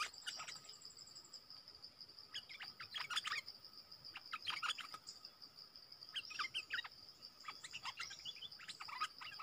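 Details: Wild streaked bulbuls, a whole family calling in forest. Short bursts of clipped, chattering chirps repeat every couple of seconds over a steady high insect drone and a lower continuous hum.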